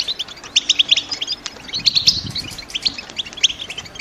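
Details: Female European goldfinches in a cage, ready to breed, chattering to prompt a male to sing: many quick, bright chirps in irregular overlapping bursts, with a low steady hum and hiss underneath.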